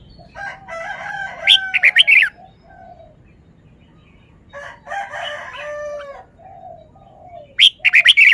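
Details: Red-whiskered bulbul showing off its song phrases: two bursts of quick, varied whistled and chattering notes, the first ending in sharp bright high notes. A pause falls between bursts, and a further bright burst comes at the end over a faint low hum.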